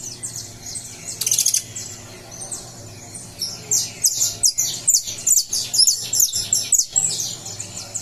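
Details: Saffron finch emerging from moult on 20 July, delivering a brief buzzy burst, then a rapid run of high, sharp chirps repeated about twice a second, with a faint constant low hum beneath.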